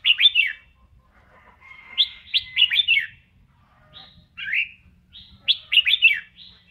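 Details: Red-whiskered bulbul dancing and singing in voice training: repeated phrases of three or four fast, bright downslurred whistles, with thin sustained tones and a warbled note between phrases, roughly every two seconds.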